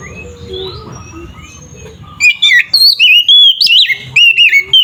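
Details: Oriental magpie-robin (kacer) singing a provocative 'ngeplong' song for stirring up rival magpie-robins: two quiet seconds of hum, then a rapid string of loud sweeping whistles and sharp chirps in quick succession.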